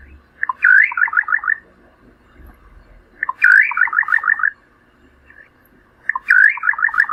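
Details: Brazilian Cerrado Little Nightjar giving three calls, spaced roughly every three seconds. Each starts with a rising slurred note, then a rapid gurgling series of short notes that drop in pitch. Faint low background hum.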